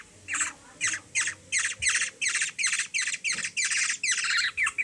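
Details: Hungry young black-naped oriole, known locally as kilyawan, being hand-fed by a three-year-old girl in the Philippines; harsh, buzzy squawks repeated in rapid bursts about three per second, steady and insistent throughout.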